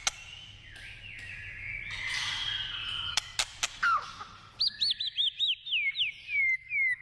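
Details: White-rumped shama in the wild, forest setting: long drawn whistles, then a rapid series of about eight high arching whistled notes that descend slightly in pitch toward the end.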